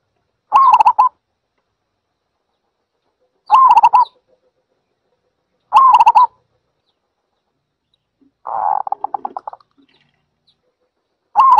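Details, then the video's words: A zebra dove's rolling, wavering coo phrases recur every two to three seconds, one phrase replaced by a buzzier, stuttering sequence of pulsed notes. "សំលេងលលកដី Zebra Dove"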